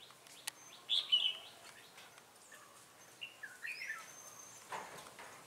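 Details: Red-whiskered bulbul singing as a decoy to lure wild rivals during trapping in Bình Phước, Vietnam, 25 June 2018; a loud warbled burst near the start, quieter falling fluted notes later, faint background chirps.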